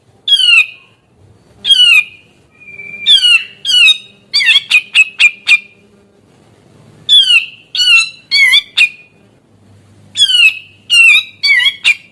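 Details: Grey-cheeked bulbul singing gacor to encourage other birds that will not sing: repeated grating descending squawks, a quick cluster of sharp notes, then further squawks in uneven bursts.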